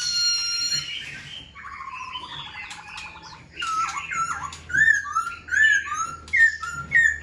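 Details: A caged Black-throated Laughingthrush displays with spread tail and wings. It sings a buzzy, rattling trill, then a lively series of loud whistled phrases that rise and fall, several repeated in quick turns.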